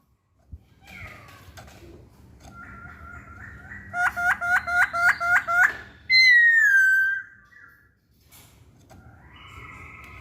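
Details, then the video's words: Masked laughingthrush song: quiet buzzy notes, then a regular burst of about seven loud chopped notes, one long clear whistle sliding downward, and softer chatter afterward. "Kicauan Poksay Hongkong"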